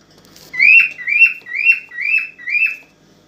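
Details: Aroused cockatiel song meant to stimulate a female to mate, five clear whistled notes in a steady series, each rising sharply then dropping, about two per second, against a quiet background.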